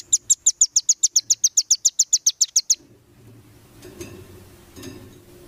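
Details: Velvet-fronted nuthatch (rambatan) song used to train competition birds: an evenly spaced series of about sixteen high, clipped notes over nearly three seconds, then it stops, leaving quiet low rumbling and faint clicks.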